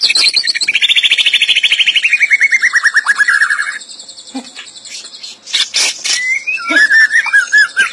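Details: White-rumped shama singing: a long, fast trill of rapid repeated notes that slides gradually downward for almost four seconds, followed by scattered sharp chips and a short run of lower wavering whistles.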